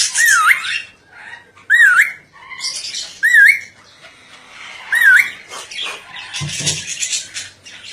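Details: Ornate lorikeet, described as a smart bird, repeating a looping, wavy whistle about every one and a half seconds, four times, mixed with harsh broadband squawks and rustling, plus a brief low thump near the end.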